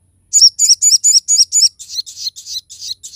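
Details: Crested jay song used as a training and lure recording for other birds: a rapid series of sharp, high chirped notes, about six loud repeats followed by softer, slightly rougher echoes.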